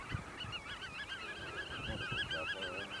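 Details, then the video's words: Black-tailed godwits displaying and mating in Eemnes, Holland, on 8 April 2012: steady, rhythmic, wavering nasal notes repeated without pause, with soft low honks near the end. "black-tailed godwit display (and mating)"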